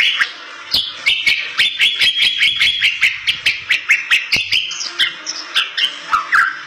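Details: Bali myna, a rare protected songbird, in full energetic song used as a lure for other Bali mynas: a fast run of short repeated whistles, roughly three each second, then higher swooping notes, with frequent sharp clicks throughout.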